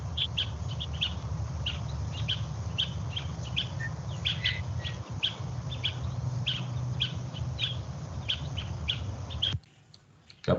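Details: Gray Silky-flycatcher, a sound-library recording played in a class on identifying species by sound: a steady series of short, sharp, chattering notes repeated about twice a second, ending abruptly near the close.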